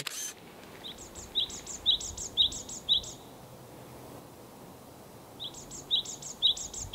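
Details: Japanese tit, outdoors: bright two-part notes, a high thin element then a lower clear whistle, repeated about twice a second in a run, a pause, then another run; steady background hiss and a click at the start.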